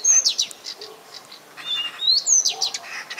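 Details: Common nightingale, described as a small grey bird that shuns attention, singing: loud high whistled notes sliding down, sharp rising whistles and quick chirps in varied phrases, with fainter lower notes behind.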